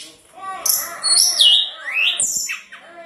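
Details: Tledekan gunung in full song, used as training material to provoke rival birds into answering: loud high whistled notes sweeping up and down, with a rising slurred phrase and a falling stroke near the end.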